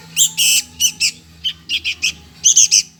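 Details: Young sooty-headed bulbul begging for food, giving loud hoarse rasping notes, some drawn out and others clipped, in short uneven bursts, with a quiet low hum behind.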